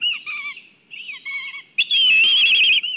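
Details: An agitated black kite at a nest in Kurzeme, Latvia. Several short, downslurred, wavering calls come first, then a sudden loud, harsh, trembling whinny held for about a second.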